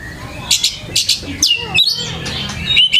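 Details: Oriental magpie-robin lure sound for prompting a kept bird to respond; harsh chirping bursts and buzzy notes alternate with high slurred whistles in rapid succession.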